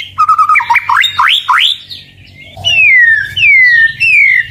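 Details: Song of a white-rumped shama, known as murai batu, aimed at rivals: sharp upward-swooping whistles in quick succession, a brief pause, then three long, clear descending whistles over a faint low hum.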